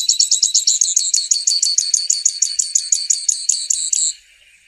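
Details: Song of the grassland yellow finch: a rapid stream of high, sharp double-toned chirps repeated evenly for about four seconds, then stopping abruptly into silence.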